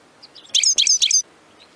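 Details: Short burst of European goldfinch chatter, a bubbling 'betbeta' song used to rouse goldfinches into continuous song. Roughly two-thirds of a second of tinkling, high twittered notes in quick clusters, with quiet before and after.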